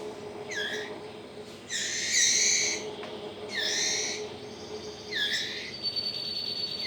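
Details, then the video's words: White-rumped shama chick, 20 days old, begging while being hand-fed by its breeder: four harsh, rising, screechy calls, one long and drawn out, spaced over seven seconds above a steady low electrical hum. "Meloloh Trotol Murai Batu Umur 20 Hari"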